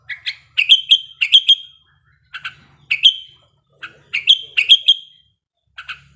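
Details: Sooty-headed bulbul in breeding condition used to prompt singing; loud clusters of three or four bubbly whistled notes separated by short pauses.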